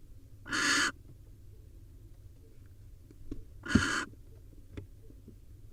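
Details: At a wild barn owl nest, with the male bringing a nestling swallow for the young. Two loud, breathy hiss screeches, each under half a second, about three seconds apart, with quiet knocks between.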